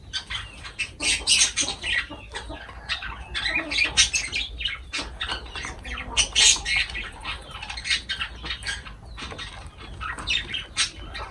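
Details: Pet lovebirds eating and calling continuously, a busy stream of harsh high chirps and squawks at a fast, irregular pace with loud peaks throughout.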